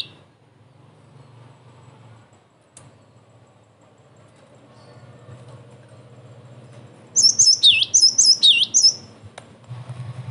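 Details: After several seconds of low background hum, a cinereous tit bursts into a short phrase of shrill whistled notes with dipping swoops; the song serves as a lure for other tits and a tutor recording.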